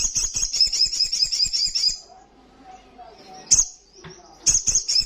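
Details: Rapid, piercing high-pitched trill of an Olive-backed Sunbird singing loudly in the 'ngalas' manner, about two seconds long, followed by low hum and two brief bursts of sharp notes.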